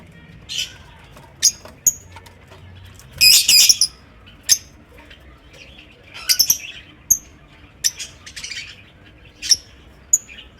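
Lovebirds give shrill, high, clipped chirps at irregular intervals, with a brief burst of rapid chattering near the start.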